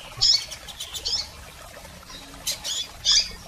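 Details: Double-collared seedeaters, females and males, giving calls meant to excite a male bird: a few separate high, sharp squeaky chirps spaced over the clip, with quiet pauses between them.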